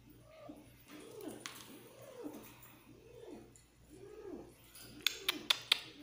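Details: Pet bird given treats, making soft low cooing notes repeated about once a second, with a few sharp clicks near the end.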